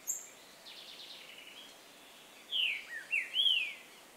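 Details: Green-winged saltator song: a short phrase of loud, rich whistled notes slurring up and down, after a faint high note and a soft buzzy trill.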